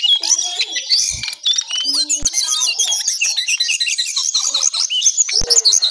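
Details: ['Brown songlark singing hard in the morning, an unbroken torrent of high, varied twitters, squeaks and whistles, with a few sharp clicks.']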